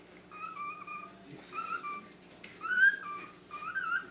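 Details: Pet cockatiel indoors giving a series of clear whistled notes, some steady and some rising or wavering, in short phrases about once a second, with faint room noise behind.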